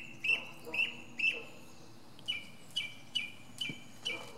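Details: A northern mockingbird singing from the top of a pine tree. Clear, sharp chip-like notes repeat in quick runs, three in a row, then a pause, then five more at a similar pace.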